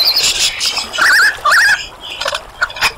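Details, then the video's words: Superb lyrebird song with clear warbling whistled phrases that wobble up and down, set among high thin notes and brief scratchy sounds. "Lyrebird Song"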